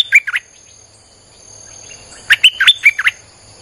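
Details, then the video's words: Streak-eared bulbul song played as a lure for wild birds: a short burst of two bubbly, chirping notes, then after a pause a lively run of five or six quick warbled notes. A steady high electronic hum runs throughout. "เสียงนกดอกแตงEp.159จ้าวขุนศึก สับดอกแบบไม่พัก!!ใช้เปิดล่อนกป่า Suara pikat merbah lekir"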